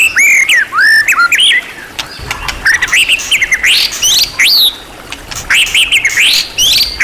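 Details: White-rumped shama from a champion-class tutor recording packed with song material: strong upward-curving whistles and high sharp notes in energetic bursts, with brief quieter gaps between phrases.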